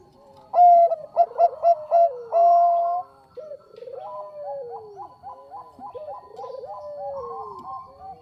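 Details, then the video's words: Bangkok zebra dove in full song for a lure recording: a burst of loud, clear staccato coos followed by one longer held coo, then a softer rolling trill of repeated notes that gradually falls in pitch. "SUARA PERKUTUT BANGKOK GACOR AMPUH UNTUK PANCINGAN"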